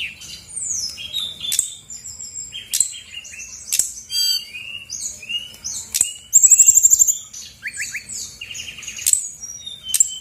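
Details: Female Brown-chested Jungle Flycatcher from Bali singing vigorously, used as a lure to provoke quiet birds into song: dense, high whistled phrases with fast trills and a loud buzzy rattle in the middle, continuous throughout.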